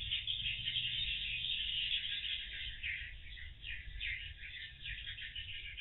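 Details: Swiftlets returning to a roost house in the evening, giving a dense continuous chatter of high twittering and buzzy chirps that overlap throughout, with a low hum underneath.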